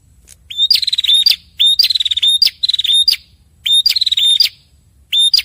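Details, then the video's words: A male and female prenjak kepala merah prinia trading song phrases in close succession. Repeated bouts of fast clicking rattles mixed with high, bright whistled notes and abrupt upward flicks, bursts following each other almost continuously. "Suara Burung Prenjak kepala merah jantan dan betina bersahutan"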